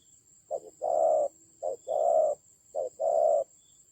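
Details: Decoy spotted dove in a fierce fight in the Central Highlands of Vietnam, October 2020, giving three paired coos, a brief clipped note then a drawn-out rough one, evenly spaced, over a thin constant high-pitched hum.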